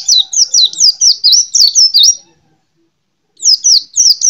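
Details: Rapid, bright chattering from a white-eye: high whistled notes each sliding downward, repeated quickly in a steady string of about eight, a short silence, then the same pattern resumes.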